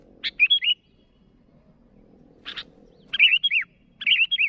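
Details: Sooty-headed bulbul calling rivals: short bursts of harsh chips followed by bright, bubbly whistled notes dipping and rising, in two groups separated by a pause, with a faint low hum beneath.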